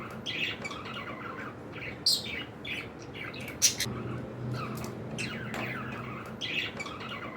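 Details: Indoor pet cockatiels producing raspy squawks and short chirps at an uneven pace, with two sudden loud harsh notes near the middle, over a faint low-pitched room hum.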